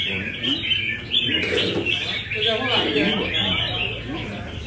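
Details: Café session in Đà Nẵng for a Nam Đông red-whiskered bulbul: rolling whistled phrases with quick rising and falling notes, accompanied by nearby conversation.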